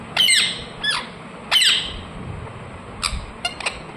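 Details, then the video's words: Pet ring-necked parakeet: loud, rasping squawks that sweep downward, given in pairs. Softer, brief clicking chirps close the passage. "Ringneck parrot Chirping sounds"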